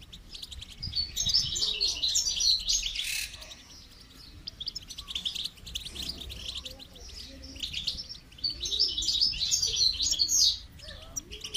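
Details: Goldfinch heard during song training, giving long stretches of rapid, bright twittering and trilled phrases, broken by a quieter pause mid-way, with soft low sounds in the background.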